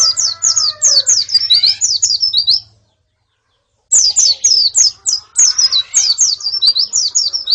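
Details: Female and colony white-eyes calling, a recording used as therapy to stimulate a male's singing: rapid runs of thin, high, downslurred chirps in two bursts split by a silent gap, with faint lower whistles beneath.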